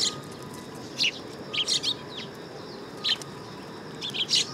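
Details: Several sparrows gathering on a perching stand at a Tenmangu shrine on 3 September 2022, giving sharp high chirps in loose clusters of two or three, with pauses between, and a faint thin tone behind.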